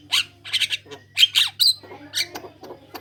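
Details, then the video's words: Javan myna song played as a lure for others of its kind: bursts of harsh squawking chatter with metallic whistled accents, in quick clusters separated by short pauses. "Jalak kebo gacor ngoceh suara pikat buat pancingan jalak kebo manapun"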